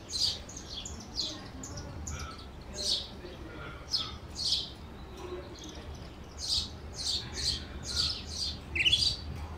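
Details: Canary in the United States singing a lively run of short, high, bright chirps, clustered in quick bursts and repeated steadily across the stretch, over a low, steady background hum.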